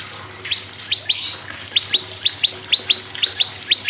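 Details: Prinia, a prenjak lumut, sung as a lure for other birds: scattered upward-sweeping chirps becoming a run of quick pairs, with a brief noisy burst early on.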